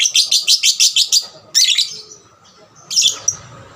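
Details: Lovebird song serving as a lure to make other lovebirds sing: a rapid row of seven harsh, high chattering notes, a louder scratchy burst, quiet, then two further squeaky notes.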